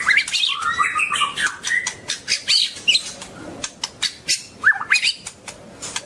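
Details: Long-tailed white-rumped shama song: quick varied whistles and warbles at the start, then scattered sharp clicks with a few short slurred whistles toward the end.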